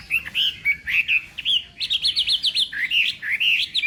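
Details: Crisp, bouncing whistle notes from a Chinese hwamei in morning voice training for a singing contest, many short phrases repeated in quick succession, growing into a rapid run of sharp looping notes.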